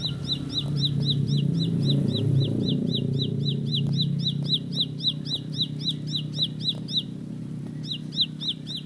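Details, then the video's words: Bar-winged prinia (ciblek sawah) pouring out a rapid roll of high down-slurred chips, about four per second, partly masked by a steady low hum and rumble, with a short pause before the series resumes. "Tembakan Roll Spead Ciblek Lagu Full Kolibri // Ciblek Sawah/Ciblek Pari"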